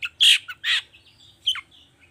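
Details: Long-tailed shrike, played as a lure to get other shrikes singing: two loud, grating squawks in quick succession, then a thinner downslurred note and soft trailing sounds.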